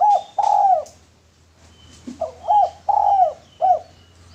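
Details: Male spotted dove, kept as a lure bird, giving a series of low hollow coos, two drawn out and two short, with a soft low hum in the background.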